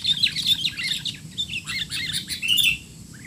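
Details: Young-bulbul tutor recording of sooty-headed bulbul 'teler' calling: a steady, fairly soft run of twittering chirps and short slurred whistles, with a low background hiss.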